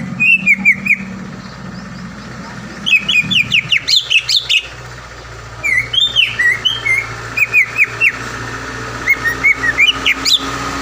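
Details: Greater green leafbird (cucak ijo) song, used as a lure to make a rival leafbird sing and become agitated: bursts of bright whistled notes and rapid chirps with pauses between them, over a steady low hum.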